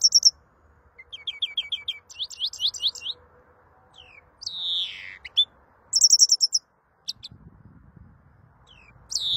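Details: Greenfinch singing a varied phrase: a short repeated-note trill, a rapid chattering run, a drawn-out nasal wheeze that slides downward, then high rattling trills, with faint low rumbling near the end.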